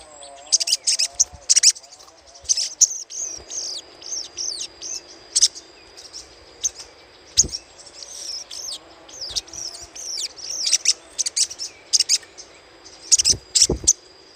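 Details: Little spiderhunter chattering used as a lure: long run of high, sharp chip bursts with some brief downslurred notes, a steady high whine underneath and occasional low knocks.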